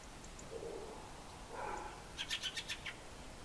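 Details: Fieldfare giving a short run of five harsh, dry chattering notes in quick succession near the end, preceded by a couple of faint lower sounds, over a quiet background hiss.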